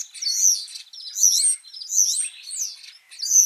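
Common Starling giving a rambling song of high, squeaky whistles and buzzy, rattling notes in bursts about every three-quarters of a second.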